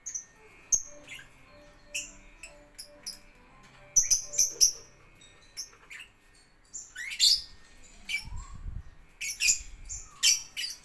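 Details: Lovebird in ngetik-style singing: scattered short, sharp high chirps and ticks, some doubled, with brief quiet gaps and a few faint lower squeaks in the background.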